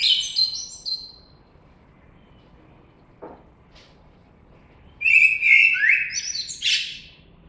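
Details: Squeaky high end of one blackbird phrase, a quiet gap with a couple of faint clicks, then a loud, full fluting phrase with rapid warbled notes and a high twittered close.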